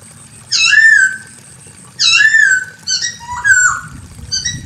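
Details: Female Chinese hwamei calling to a male: loud, slurred whistled notes rich in overtones. There are three well-spaced phrases, each with a sweeping note that rises then levels off, followed by shorter chirps.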